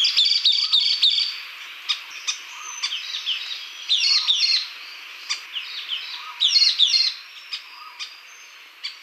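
A Sultan tit gives bursts of high, sharp chirping notes in quick runs, several per second, with softer, lower whistled notes between them.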